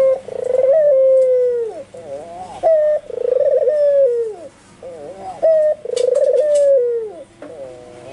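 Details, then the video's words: White albino Barbary dove calling vigorously and insistently: loud, repeated coos, each a short flat note then a pulsing rolled phrase sliding down into a long falling tone, about every three seconds, with softer wavering notes between. "SUARA BURUNG PUTER PUTIH ALBINO FULL GACOR - NGEGAS SAMPE GLAGEPAN"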